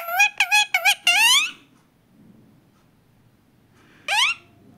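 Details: Pet talking parrot indoors with several quick squeaky notes and a longer wavering call, then a pause and one rising squeak.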